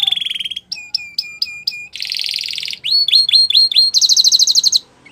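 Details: Belgian canary song with changing tours: a quick trill, a run of evenly spaced upswept whistles, a loud buzzy rattle, hooked notes and a final dense high buzz.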